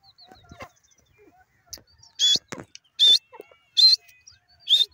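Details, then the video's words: Grey francolin, known locally as dakhni teetar, calling: four loud, harsh, high-pitched bursts spaced roughly a second apart. Scattered faint clicks and taps come between them. "grey francolin call,teetar ki awaz dakhni teetar ki awaz"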